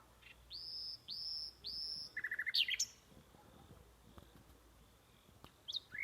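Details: Bird calling at night: three drawn-out high whistles with a downward hook, then a quick stuttering series of lower chirps and a sharp note, faint scattered calls later over a soft background hiss.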